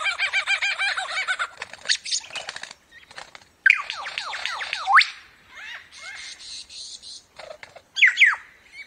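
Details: Superb lyrebird mimicking other birds: a fast harmonic stutter of ringing notes, scattered clicks, then loud upward and downward whip-like sweeps with quieter twittering between them.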